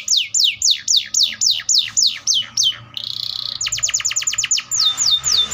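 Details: Atlantic canary song of repeated high falling sweeps, a buzzy steady passage, a fast rattle of clipped pulses, then more descending sweeps.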